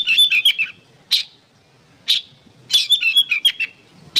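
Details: Oriental magpie-robin, recorded as training material for songbirds, singing short bursts of bright whistled and chattering notes separated by pauses, with single harsh rasping notes in between.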